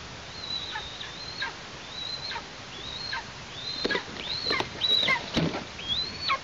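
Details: Eastern imperial eagle chick calling from its Tatarstan nest in August as the parents bring prey: about eight thin, rising piping whistles that drop off steeply, with knocking and rustling sounds in the second half.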